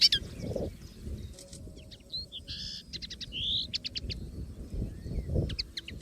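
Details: Common linnet in the wild with a quieter, broken song: scattered chirps, a buzzy phrase, a rising whistle and quick repeated notes over steady low background noise.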